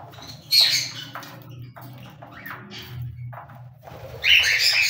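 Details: Two loud, rasping cockatiel squawks, one early and one near the end, separated by quiet clicks and soft scratchy sounds over a steady low background hum.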